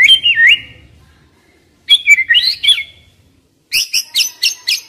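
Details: White-rumped shama singing, young forest bird, played to rouse young wild birds: looping whistled phrases, pauses, then a quick series of sharp high notes about four per second.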